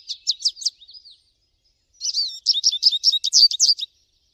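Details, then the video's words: American goldfinch singing in nature: a few quick high twittered notes, a short pause, then a dense burst of rapid sweeping chirps and warbles, all high-pitched, with no other sounds. "PITASSILGO AMERICANO CANTANDO MUITO NA NATUREZA - CANTO DO PINTASSILGO AMERICANO"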